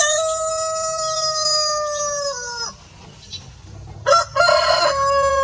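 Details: A farm rooster finishes a long, steady crow that falls away at the close. After a short quiet pause with faint background noise, a new raspy crow begins.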